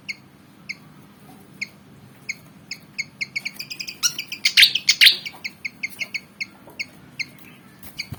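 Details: Javan fantail, black and white and about 19 cm, eager for a fight: sparse high chips quicken into a dense run with a loud burst midway, then slow again to spaced chips.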